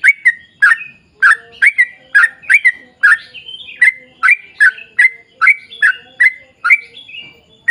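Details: Continuous lure song of a sooty-headed bulbul meant to make others join in: lively bursts of slurred, bubbling notes, sometimes doubled, broken by short level whistles.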